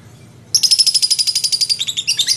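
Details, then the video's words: Ngekek from a lovebird, gacor and teler: after a brief silence, a burst of rapid, shrill, trilling chatter begins suddenly and runs to the end. "SUARA BURUNG LOVEBIRD GACOR NGEKEK & TELER"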